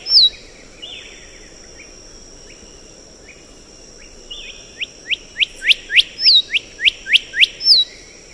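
A black-headed whistler gives sharp, high whistled notes, at first spaced, then quickening into a rapid run of clear slurred whistles near the end, over faint background hiss.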